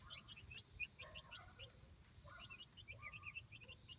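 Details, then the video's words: Roughly month-old Light Brahma chicks exploring their outdoor coop-run for the first time. Several chicks give a steady stream of short, high, downward-slurred peeps, a few per second and overlapping, with a low rumbling background. "Light Brahma Chicks Enjoying Outdoor Playtime"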